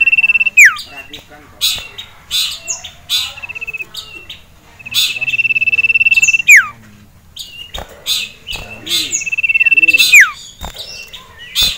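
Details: Excited male sirtu in a cage reacting to a rival and a female: steady buzzy trilled notes held for a second or more, each ending in a falling whistle, mixed with chirps and rattles of nearby birds.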